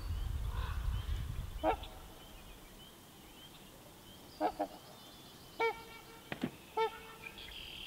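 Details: Trumpeter swan pair feeding at a beaver pond in Minnesota in spring, slightly cautious of a person: deep, horn-like honks, single and in short pairs, spaced irregularly over several seconds; low rumbling wind or handling noise opens the recording.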